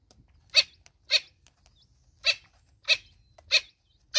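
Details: Natal spurfowl, mother with chicks, South Africa: rapid harsh, noisy bursts, about six in four seconds, each brief and raspy, with a faint high peep or two.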